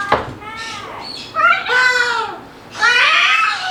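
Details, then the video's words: Pet Moluccan cockatoo, male, vocalizing indoors while playing: a sharp click, then wavering, whining harmonic calls that bend up and down in two loud bursts separated by a short lull. "Moluccan Cockatoo Talking Compilation and Playing Running Jumping Making Noises"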